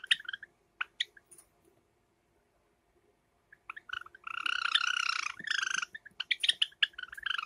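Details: Summer recording of two pet Java sparrows, light silver ino and sakura: a few isolated chirps, a pause, then a long raspy harmonic churr followed by rapid chattering tweets.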